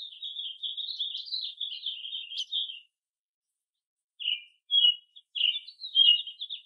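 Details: Song of an American robin, one of a group of mixed-age robins foraging in a chorus with other birds: nearly three seconds of continuous warbled whistling, a pause, then several separate loud slurred phrases running into more warbling.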